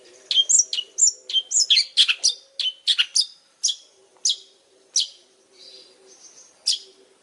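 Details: Energetic long-tailed shrike song of varied high chirps, slurred whistles and scratchy notes delivered rapidly, thinning to spaced single notes, over a faint low hum.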